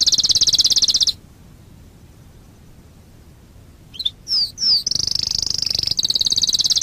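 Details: Master canary song for teaching young canaries to sing: a fast high rolling trill, a silent gap, a few quick downward-sweeping whistles, then another long rapid high trill.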